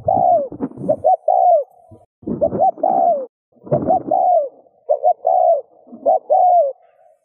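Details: Spotted dove coos, used to stimulate other doves to coo: five or six phrases of short notes leading into falling hollow coos, overlaid by repeated low thumping and rustling noise.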